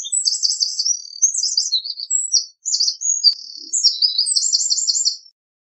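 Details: Eurasian wren delivering two vigorous bursts of song, each a jumble of shrill, quick-fire notes and short trills, separated by a brief pause, in a quiet background.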